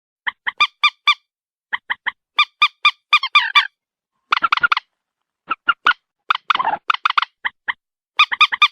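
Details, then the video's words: White-breasted waterhen calling in bursts of short, nasal, honking notes, each repeated three to six times in quick runs, with a few harsher rasping notes near the middle; no other sounds. "morhen bird shound (ডু্ঃখোর পাখির ডাক)"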